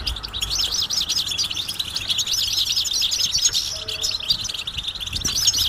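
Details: Many European goldfinches calling together, their mating and readiness calls used to excite males into singing; a continuous tangle of fast, high, jingling chirps and trills with a quiet low hum in the background.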